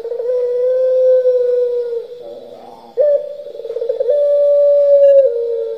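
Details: Pelung-style turtle dove cooing at length: a smooth, sustained coo trails off into a soft, rolling murmur, then a sharp onset leads into another long, level drawn note.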